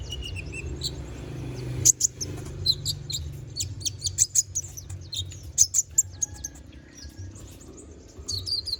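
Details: Konin bird in lively, full song, used as a tutor recording for training magpie-robins: bursts of very high, sharp chirps and short trills, irregular and clustered, over a low steady rumble of background noise.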